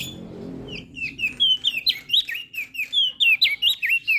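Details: A crested white-eye from Lombok delivers a rapid chattering song of sharp, bending whistles, starting after a quiet low hum, used to prompt lazy birds to sing.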